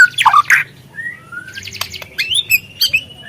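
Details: Murai trotol, a speckled young white-rumped shama, heard in a lure recording to make birds sing: harsh squawky notes at the start, then thin drawn whistles and scattered sharp chips.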